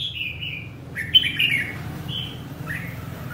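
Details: A red-whiskered bulbul gives a few short warbled notes, sliding downward, with gaps between and a steady low hum behind.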